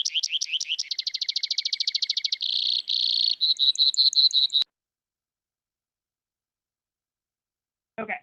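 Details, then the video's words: A Brewer's sparrow in spring sagebrush country sings a long, high series of trills that change speed and pitch, from rapid chips to dry, buzzy rattles easily mistaken for a cricket. A brief soft noise follows the silence. "so that was the brewer sparrow that many of you might actually mistake for a cricket."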